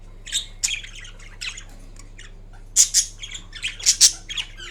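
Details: Napping green Indian ringneck parrot, a kept pet, giving soft high chirps that build to a few louder harsh squawks near the end, irregular and broken by short pauses.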